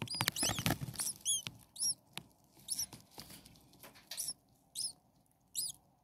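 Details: Hungry common starling chicks, six nestlings a few days old, begging in the nest with high, thin, arched squeaks repeated about every half second, over rustling and scraping.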